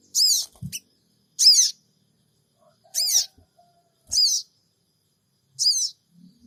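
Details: Sooty-headed bulbul cingik cingik call used as a lure in Purbalingga, phone recording: five rasping, high-pitched buzzy bursts at irregular intervals, with faint clicks and a soft low thump between them.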